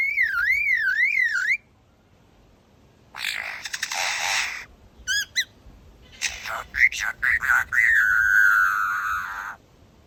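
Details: An Australian lyrebird mimics sounds at a person: a fast, rolling two-kilohertz siren-like warble, then harsh rasping bursts, quick chirps and a wavering whistle.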